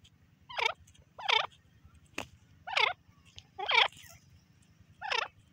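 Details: Female francolin calling, a series of harsh, rasping looped notes repeated roughly every second, with a faint low hum underneath.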